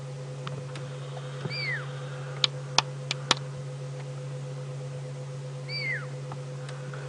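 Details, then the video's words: On a late-afternoon South African safari drive in June, a fork-tailed drongo mimics a pearl-spotted owl's high territorial whistle: two clear up-then-down whistles about four seconds apart, over vehicle engine hum and a few sharp clicks. "That, however, is not a pearl-spotted owl. That is a little fork-tailed drongo,"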